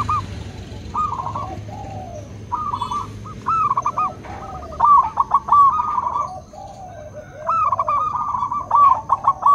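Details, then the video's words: Zebra doves, both local and crossbred birds, counter-singing with repeated trilled coo phrases of rapid notes, louder rolling bursts alternating with quieter answering voices. "Perkutut lokal dan crossing pasti nyaut!! Suara perkutut pulen"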